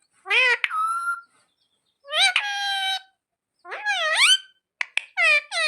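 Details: Parrot kept as a pet and taught "mummy papa" gives three drawn-out nasal phrases, each rising then levelling, spaced about a second apart, ending with clicks and a wavering call.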